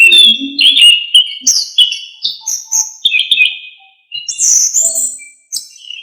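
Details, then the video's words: Orange-headed thrush in vigorous gacor song packed with isian phrases, a master recording meant to teach songbirds: rapid sequence of shrill whistles, slurs and chirps in rising and falling bursts, then a short pause. "KICAUAN ANIS KEMBANG GACOR FULL ISIAN"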